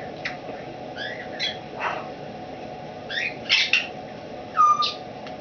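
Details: Caged older female Timneh African grey, once a wild-caught breeder, recently rehomed and trying out her voice; a loose string of rasping chatters, short squawks and a bright level whistle near the end, with steady room hum behind.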